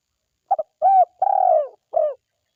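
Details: Spotted dove call used as a forest lure: a brief doubled note opens, followed by three mellow hooting coos, the middle one longest and sliding gently downward, the last short and falling, no other sounds.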